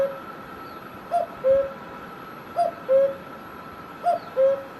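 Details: In Himachal Pradesh, India, a cuckoo gives three clear falling two-note calls, higher short note then lower longer one, about one and a half seconds apart, over a quiet steady hum.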